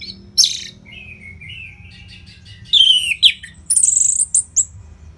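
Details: Orange-headed thrush song used to train fighter birds: a sharp opening note, soft wavering whistles, then loud drawn-out trilled and buzzy phrases sliding downward and high ringing notes.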